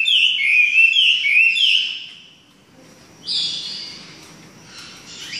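A Chinese hwamei sings loud, rich whistled phrases around four notes a second, pausing, then resuming with a bright rising burst.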